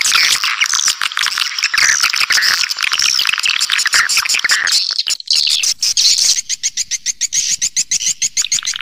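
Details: Swiftlets' calling sound for luring birds: busy high-pitched twittering with looping chirps, shifting in the last seconds to a fast regular train of sharp clicking pulses.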